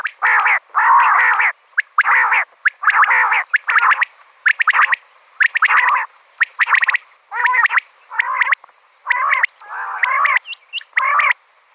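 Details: Common quail, a female, with a call recorded for hunting quail. Buzzy, harmonic bursts repeat roughly once a second, mixed with crisp chirps and a few high flicking notes, and brief pauses separate the phrases.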